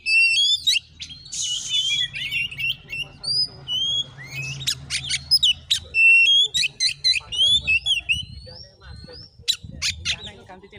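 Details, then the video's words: Fighting Oriental magpie-robin in Padang Gading, Bengkulu: bright whistled notes and quick chirps in short bursts, a brief hissing burst early on, then rapid repeated clicks and whistles over low rumbling noise. "Kacer tarung|pancingan Kacer gacor|Kacer Konslet|burung Kacer"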